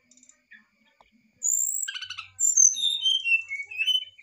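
Brown-chested jungle flycatcher song: high, clear whistled phrases, a buzzy stuttered note, then sliding descending whistles over about three seconds.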